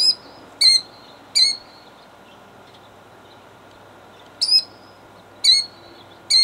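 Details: Female killdeer defending her eggs in Jackson, New Jersey, 2008: sharp, high, piercing notes given singly or in a quick pair, six calls in two bursts separated by a few seconds of quiet, over steady faint background hum.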